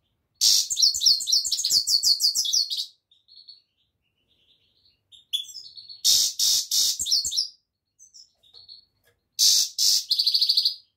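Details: European goldfinch song, a long rapid twitter of high liquid tinkling notes, then gaps with faint chips and repeated harsh buzzy rasps in short runs.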